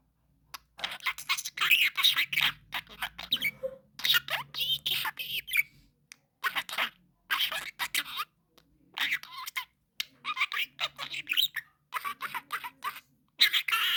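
A budgerigar chatters in rapid, scratchy bursts, mimicking human speech in a quiet room.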